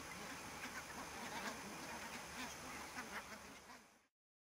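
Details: Barnacle geese in fog at Niittylahti, Savonlinna, Finland, on 2 October 2011; a dense flock chorus of short barking yelps overlapping rapidly, about three per second, before cutting off after four seconds.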